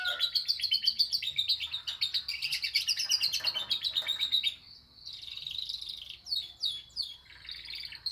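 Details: Caged canary (kenari) singing actively, its song filled with learned lovebird phrases: dense, rapid high trills and chattering twitters, about four notes per second, and a brief quieter pause before more sharp whistled phrases and rattles.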